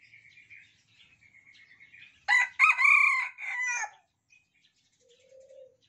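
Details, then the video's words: Captive Red junglefowl of Sumatran stock, one of several cocks sharing a cage and crowing in reply to each other; thin whistled bird notes lead into a loud, coarse crow of three parts, ending with a faint soft note. "Ayam Hutan Merah kokok bersahut-sahutan"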